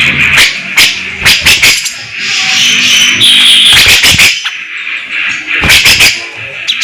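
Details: Grey-cheeked bulbul (cucak jenggot) in loud full song in competition style with shots (tembakan) and fast tight besetan: harsh explosive bursts alternating with a sustained buzzy, shimmering high band, faint background hum.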